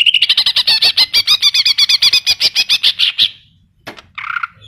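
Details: Greater green leafbird in full song packed with mimicked phrases, here a fast series of about twenty loud, sharp, high notes repeated rapidly for three seconds, then a pause and a short harsh burst.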